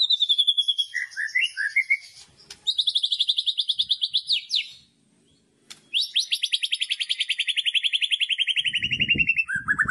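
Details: White-rumped shama song meant to provoke another shama: long fast trills of repeated high notes, a sweeping whistled glide, a pause, then a descending rattling trill ending in lower notes with faint low noise.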